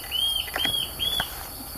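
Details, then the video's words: Tufted Antshrike, a bird very hard to observe, gives its song: three clear, high whistled notes, each slightly rising and about a third of a second long, in quick succession over a steady insect-like hum. "Canto da Borralhara"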